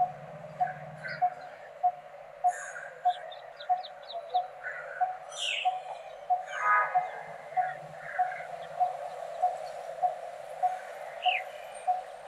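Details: Resident coppersmith barbet (Psilopogon haemacephalus), turning its head side to side as it calls: a low, hollow 'tuk' about every half second, other small birds chirping and twittering over it, low hum at the start.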